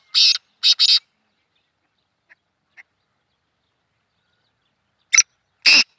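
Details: Black francolin (kala teetar) in a hunting context giving harsh, clipped, buzzy notes in pairs and triplets separated by about four seconds of quiet.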